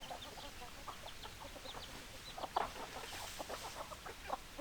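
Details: Chickens clucking: many short, dry clucks overlap in a steady chatter, with a few louder notes standing out near the middle and the end.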